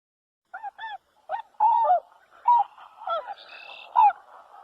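A swan gives a run of short, nasal honks, about six in under five seconds, some doubled and slightly rising, over a soft background hum.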